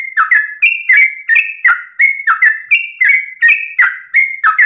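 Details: In dawn ropel style, a trucukan (Yellow-vented bulbul) pours out loud, ringing whistled notes, alternating slightly higher and lower phrases with hardly any gaps.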